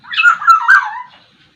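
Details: Kepodang sumbawa, a Sumbawa black-naped oriole, singing vigorously with a varied repertoire: a scratchy, nasal, mewing phrase of about one second, with twisting whistled slurs that fall away at the end.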